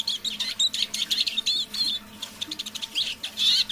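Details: Eurasian siskin, a caged decoy bird, singing in the evening: a lively string of high twittered notes and short thin whistles, quick and chattering, with a rising squeaky phrase at the close.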